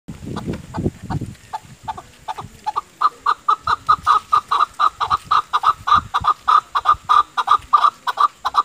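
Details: Chukar partridge (Alectoris chukar) gives a long run of hoarse, clucking chuck notes that speed up into a steady, rapid series, with a few low thumps at the start.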